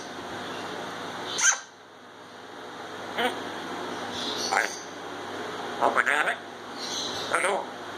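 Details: Talking pet grey parrot that says "Ya Allah" and more, heard indoors: a sharp high whistle-like note, then a few scattered speech-like utterances with voiced tones separated by pauses of about a second or more.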